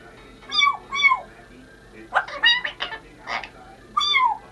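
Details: Congo African grey parrot, female, giving two descending meow-like tonal calls, then a burst of choppy speech-like sounds, and a final drawn-out falling mew.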